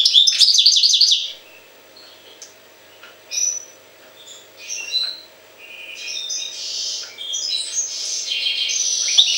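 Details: European goldfinch, associated with Jagodina, opens with a loud burst of rapid, liquid twittering notes, then sings softer, scattered tinkling phrases and buzzy trills after a quiet pause.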